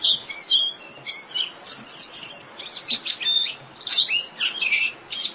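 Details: Japanese white-eye singing to gather the flock: a varied, high, sweet warble of whistled slurs and chirps delivered almost continuously.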